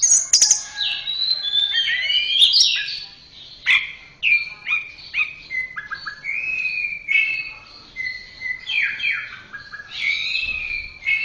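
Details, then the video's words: Continuous varied song of an Orange-headed thrush: fluty whistles, sliding notes and quick chirpy runs in a steady flow, with no other clear sounds. Recorded as a master track to train captive thrushes. "Masteran Suara Burung Anis Merah"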